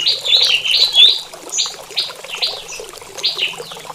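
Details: Morning mating call from a prinia kept in a small aviary: bright, slurred chirps, some rising then dipping, repeated about every half second and fading toward the end.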